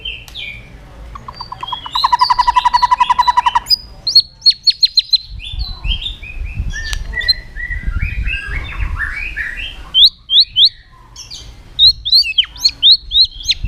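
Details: Varied song of a white-rumped shama meant to prompt other shamas to sing: a buzzy rattling trill, bursts of high chips, warbled mid-pitch phrases and sharp upslurred whistles near the end, with soft low background rumble.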